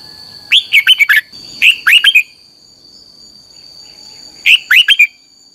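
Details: Red-whiskered bulbul singing as a training lure. It gives three short bubbly phrases, each a rapid run of four or five rising-and-falling liquid notes, the first two close together and the third after a pause. A constant high-pitched whine sounds underneath.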